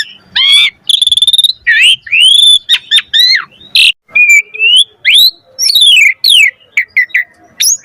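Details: Asian pied starling singing a varied, energetic song, played to stimulate other starlings to sing: loud whistled notes rising and falling, rapid buzzy trills and sharp chirps in quick succession, with no other sounds.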